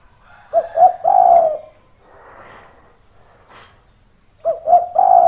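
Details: Spotted dove cooing played to attract wild doves to a rival's voice: stuttered two short notes followed by a long hoarse coo, heard twice, with a soft noisy rustle between phrases.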